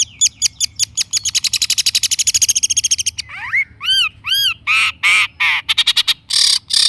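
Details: Long-tailed shrike lure song to make a silent bird respond: a fast ticking trill, then arched whistled notes and loud harsh grating bursts.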